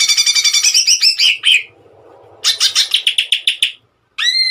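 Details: Lively Greater green leafbird song in bursts for training songbirds: a fast rattling chatter ending in a whistled flourish, a quiet gap with soft background noise, another quick chipping run, then a clear rising whistle.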